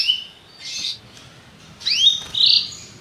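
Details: Belgian canary with a few high, sweeping notes and short buzzy bursts separated by brief pauses.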